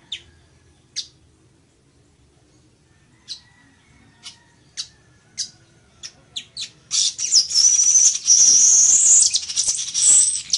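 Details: Spaced high clicks from a Village weaver speed up into a run of quick ticks. They burst into a long, loud, wheezy sizzling phrase with a thin whistled thread.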